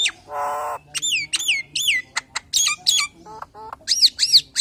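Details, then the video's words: Nias hill myna singing a full, varied lure song to draw other hill mynas: loud whistled notes sweeping down, a harsh nasal buzz, sharp clicks and bursts of squawks in quick irregular succession. "JALAK NIAS SUARA FULL ISIAN NEMBAK NEMBAK||PALING JOS BUAT PANCINGAN JALAK NIAS YANG LAIN!!"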